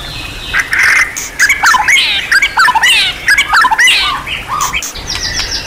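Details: Champion-class white-rumped shama (murai batu) in a tutor recording full of varied phrases: loud whistled slurs and swoops, rising and falling, given in quick bursts with short pauses and some sharp chattering notes.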